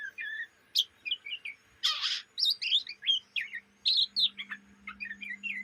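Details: Chattering young Oriental magpie-robin, day and night: a fast run of short scratchy chirps and twitters with a harsh rasping burst near the start, packed closely together; a faint low hum underneath.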